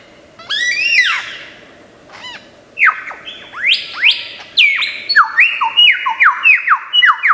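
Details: Lyrebird, an Australian forest bird known for imitating sounds, delivering a rapid medley: a burst of high squeaky notes, then a run of loud downward-sliding whistles and chattering phrases that change every fraction of a second.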